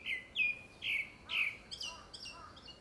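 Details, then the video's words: Four strong, descending whistled notes from a grey-backed thrush singing to court, probably before a second breeding, followed by softer, higher twittering phrases. "되지빠귀 울음소리"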